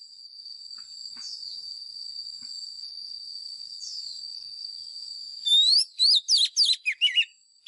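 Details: Steady high thin whine for several seconds, then a caged lure white-rumped shama, used to train other birds' voices, bursts into a quick run of rising and falling whistled notes.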